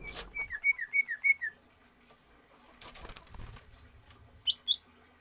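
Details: Caged greater green leafbird trained for stamina and longer breath: a quick series of about ten whistled, downward-slurred notes in the first second and a half, followed by wing flutters and a couple of high squeaks.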